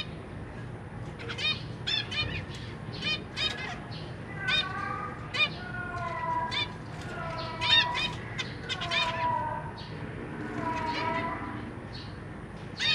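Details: Captive zebra finches, 23 June 2023: busy parents feeding young, with three juveniles and three fledglings newly out of the nest exploring a large cage. Rapid nasal chips mixed with longer drawn, wavering harmonic calls in runs of several, over low hum.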